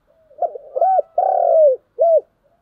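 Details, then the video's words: One full morning call of a spotted dove: soft murmuring lead-in, a sharp coo, an arched coo, a long drawn-out coo sinking in pitch, then a clean short ending note. "tiếng cu gáy, gáy gọi buổi sáng"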